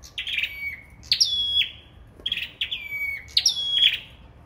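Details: Sâu đầu đỏ singing in a contest, four quick phrases, each a bright upward flick followed by a flat drawn-out whistle that drops to a lower held note.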